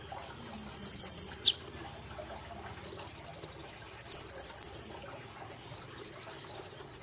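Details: A brown-throated sunbird, used as a master recording for training birds, sings thin, very high, rapid trills in bursts of about a second, four bursts in seven seconds, over a faint low hum.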